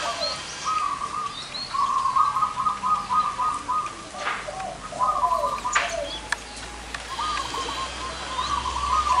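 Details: Many zebra doves with big and small voices gathered together, delivering long runs of fast, bubbling trilled coos back to back, lower coos underneath, a few sharp clicks and a faint low hum.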